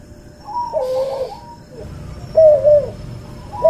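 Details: Barbary dove from a cross of white albino and pelung doves, recorded as a tutor track: a few low coos mixed with higher, thinner notes, against a brief burst of hiss and steady background noise.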